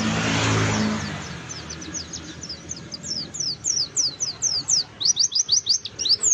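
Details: Lure recording of an oriental white-eye meant to draw out singing: a low rumble fades at the start, then thin, high chirps build into a fast run of bright, slurred notes toward the end.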